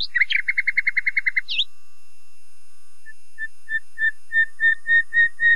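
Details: Common nightingale of dense woodland, singing a fast rattling run of a dozen rapid notes, a rising flourish, a pause, then a slow crescendo of pure whistled notes that swell louder one by one.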